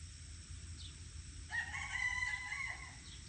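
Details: A free-range peafowl on a farm gives a single loud, drawn-out wailing call, harsh and nasal, lasting over a second, against a low steady rumble.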